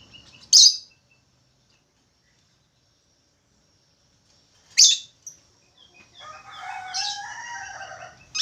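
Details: Budgerigar singing energetically: two sharp, high chirps separated by a long silence, then a soft chattering warble of short whistled notes near the end.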